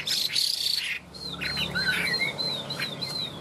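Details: After a harsh noisy burst, a tame Chinese hwamei with yellow legs and bill strings together rapid, evenly spaced high whistled downslurs, several every second.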